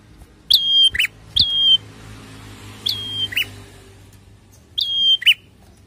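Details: High thin whistles from a prinia, each dipping then holding flat before a lower rough note, four phrases at uneven gaps. Played to encourage cage birds to sing; background mostly quiet with a low hum.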